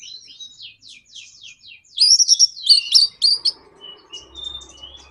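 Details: Orange-headed thrush kept as a cage bird, singing a provoking lure song to spur others: soft descending whistles, then a loud burst of rapid high chirps and trills, trailing into faint notes and a low hum.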